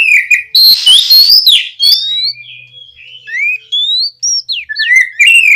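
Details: Loud oriental magpie-robin song intended to trigger singing in other magpie-robins, opening with a scratchy burst, then a string of clear rising whistles and quick downslurred notes.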